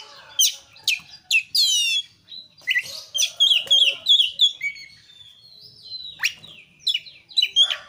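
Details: Kacer (oriental magpie-robin) in lively 'gacor' song: a string of sharp high chirps, some buzzy notes and a sustained whistle, followed by rapid chattering phrases and a falling swept note, delivered in quick loud bursts.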